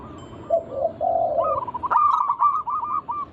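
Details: Local native zebra dove song meant to invite other doves into singing: a low, burry rolled phrase of about a second, followed by a lively series of staccato higher cooing notes.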